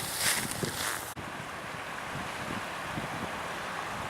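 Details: Wind roars across the microphone with a sharp cut about a second in, followed by a steady rushing like waves or an engine, and no animal calls.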